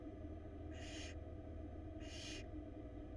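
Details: Barn owl nestling in a Florida nest box, attempting to swallow a huge rat: two softer breathy hisses, just over a second apart, half-buried in a loud low hum.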